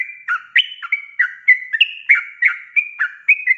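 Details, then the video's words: Ropelan song of a vigorously singing sooty-headed bulbul, meant for training cage birds; choppy whistled syllables alternate between higher and lower pitches in a fast, uneven run, around three a second. "SUARA ROPELAN BURUNG TRUCUK GACOR||COCOK BUAT MASTERAN"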